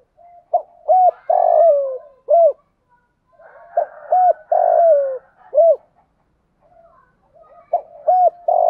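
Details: Decoy spotted dove cooing to entice wild birds, 'gáy gọi một hậu' style: rhythmic mellow hoots, a long falling throaty coo and short clipped notes, in three phrases about three seconds apart with faint softer cooing between.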